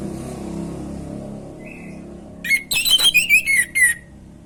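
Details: Orange-headed thrush giving a loud song: after a low background hum and a faint short whistle, a rapid burst of clear whistled notes, sliding up and down and repeated several times.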